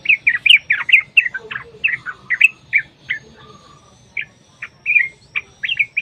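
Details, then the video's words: Yellow-vented bulbul singing a long rapid fighting-style phrase meant to provoke other bulbuls into song: dense bubbly chirps at first, thinning to spaced sharp notes with gaps, then a closing flurry. Low hum throughout. "TRUCUKAN TARUNG ROPEL PANJANG | Pancingan Trucukan agar bunyi jadikan Burung Trucuk Gacor EMOSI"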